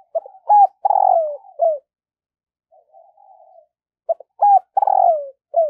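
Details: Spotted dove used as a decoy, calling in the morning to attract wild doves. Two loud phrases, each a hooked coo and a long buzzy falling coo with a clipped ending, with soft low cooing in between.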